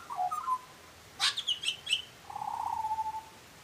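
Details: Singing butcherbird: a few low whistles, then a run of sharp high notes, ending in a long wavering fluted note that falls slightly.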